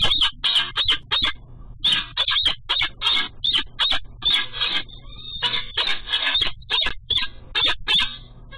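A Peregrine Falcon gives harsh, grating calls in rapid bursts of several notes, repeating almost without pause, to alert her mate. A low hum runs underneath.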